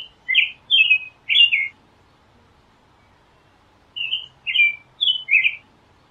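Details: Clear whistled phrases from an American robin: a burst of three slurred, fluty notes, a long silent pause, then four more, some phrases rising and others falling.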